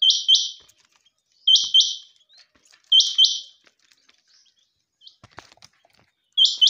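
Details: Female quail repeatedly calling in crisp, high two-note bursts, four pairs spaced about one and a half seconds apart, with a short gap of faint clicks before the last pair.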